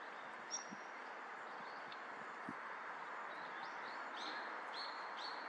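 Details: Male Daurian redstart: short, thin, high upswept notes repeated irregularly, several in quick succession near the end, faint over a steady broad rumble of background noise.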